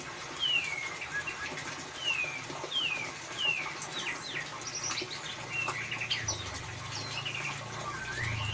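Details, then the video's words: White-rumped shama singing in the ngeriwik style, played as a lure to prompt a mute, silent shama: clear whistled notes sliding downward, repeated several times, then quicker varied chirps and twitters over a steady background hiss. "Suara Murai Batu Ngeriwik Untuk Pancingan"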